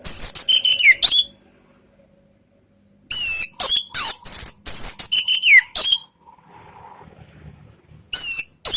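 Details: Orange-headed thrush singing to draw answers from other birds, loud rapid phrases of high looping whistles and buzzy chirps in two-second bursts with silent gaps and a brief low murmur between.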